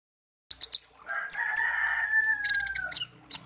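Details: Pet songbird taken from a garden, raised from young and kept for one year, tame: bursts of sharp high chirps, then long whistled tones sliding gently downward, ending in rapid high trilled notes.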